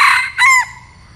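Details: Tail of a red junglefowl decoy's crow used for luring wild junglefowl: one brief hoarse note bending up then down, following a fading earlier burst, with quiet hum after.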